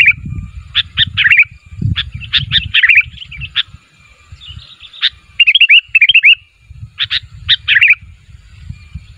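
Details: Sooty-headed bulbul calling so that others of its kind reply: rhythmic groups of sharp chirps, then a neat rapid series of bright downslurred notes, and more chirps, with faint low rumble.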